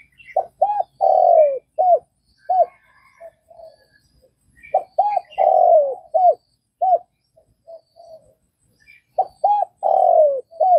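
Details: Spotted dove from Vietnam cooing: low soft phrases of two short notes, a longer drawn-out falling coo and a few trailing notes, repeated three times about every four and a half seconds, with little else heard.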